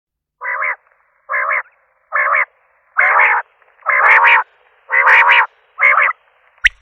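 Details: Common quail: a run of harsh, nasal, buzzy blocks of sound, about one per second, with a single sharp click at the very end.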